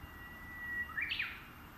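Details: Wild Japanese bush warbler singing unseen from cover, its voice gradually fading: one long, steady whistled note held nearly a second, then a quick, louder, rising-and-falling flourish of bright notes, with soft steady background hiss.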